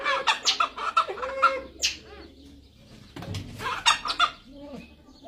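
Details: Grey junglefowl giving loud, rapid clucking notes in two bursts separated by a short lull, the clucks sharp and staccato, over a steady high-pitched insect drone in the background.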